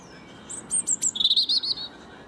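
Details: European robin watching someone mow a lawn, delivering a fast phrase of sharp high chips followed by a rapid, slightly descending trill, over a soft low background of machinery.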